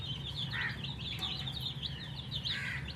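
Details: Young colour chicks peeping constantly while thirsty for water, a quick stream of high downslurred chirps with faint background hum and a couple of brief lower sounds.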